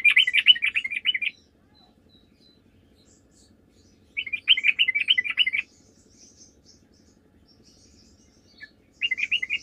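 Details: Sooty-headed bulbul singing lively as a lure to make others respond; three bursts of rapid bubbly chatter, each about one second long, separated by quiet gaps of several seconds.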